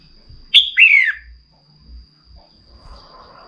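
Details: A female red-whiskered bulbul goads a male to sing with one loud phrase, a sharp clipped note followed by a falling whistled glide. Soft low thumps and a faint steady high whine run beneath.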